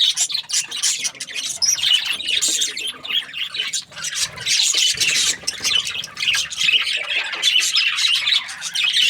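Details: A flock of pet budgies warbles continuously, a dense, scratchy chatter of high chirps and squawks with brief quieter moments.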